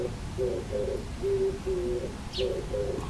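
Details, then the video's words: An Oriental turtle dove sings its breeding-season song from a neighbour's antenna near a backyard on 10 April 2022, heard from a second-floor balcony: low, husky paired coos with a longer drawn pair in the middle, over a low rumble. "キジバトの鳴き声（さえずり）/ Oriental Turtle Dove singing"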